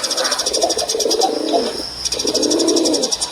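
A male dove gives two low, rolling coos, each about a second and a half long, over a steady high buzzing chirr in the background.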